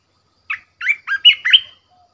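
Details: Red-whiskered bulbul used as a caged decoy bird, delivering a short phrase of five clear, slurred whistled notes, the last ones louder and more drawn out. No other sounds are heard.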